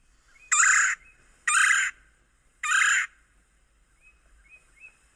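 A Red-bellied Woodpecker gives three harsh, rolling kwirr calls about a second apart. Faint, thin higher notes follow at the end.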